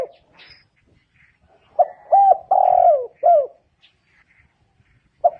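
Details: Spotted dove giving one phrase of four low, hollow coos: two short notes, a longer drawn-out coo that slides downward, then a short closing note. A single coo begins again near the end. The background is quiet.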